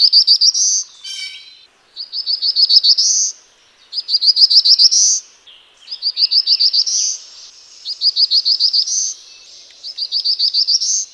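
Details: Black-throated blue warbler singing: six phrases of rapid, buzzy, evenly spaced notes, each phrase ending in a higher rising slur, repeated roughly every two seconds against a quiet background with no other clear sounds.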